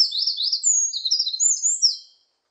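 Eurasian wren song: a loud burst of very high, rapid trills and sharp tumbling notes lasting about two seconds. No other sounds.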